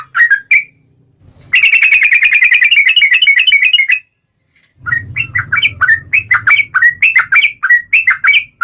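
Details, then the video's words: Yellow-vented bulbul with long rapid chatter, played to lure other bulbuls into song: a few notes, a sustained fast metallic trill over two seconds, then a busy stream of bubbling notes over a low hum. "KICAU SUARA trucukan gacor ROPEL panjang pancingan trucukan agar bunyi FULL GACOR"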